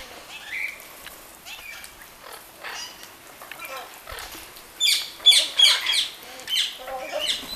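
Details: Orange-winged amazons (Amazona amazonica) bathing at a bird garden by Lake Balaton give harsh squawking calls and chatter, loudest in a burst of several sharp squawks about two-thirds through, over soft background rustling.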